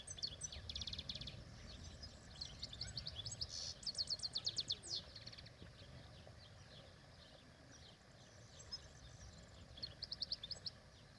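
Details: European goldfinch out in the wild producing repeated bursts of dry, rapid high trills and tinkling notes, with a quieter gap mid-clip before the trills return, under steady low background rumble.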